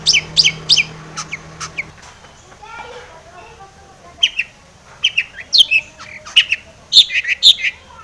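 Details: Long-tailed shrike song used as a provoking lure; high scratchy notes and whistles at the start, a quieter mid-section with lower warbled sounds, then renewed bursts of shrill chattering phrases.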